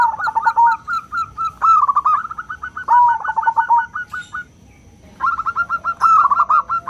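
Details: Local zebra dove with a loud, clear 'crystal' voice, kept as a lure to stir other doves into singing: rapid staccato cooing notes in quick runs, broken by short pauses, with a few lower drawn-out coos.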